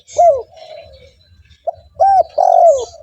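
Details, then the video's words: Brief burst from a spotted dove used to attract wild doves: a strong arched coo, a long soft purr, then two more coos, one stretched and sliding down. Faint high chirps in the background. "TEKUKUR GACOR 💯 Ampuh untuk pancingan burung tekukur bahan"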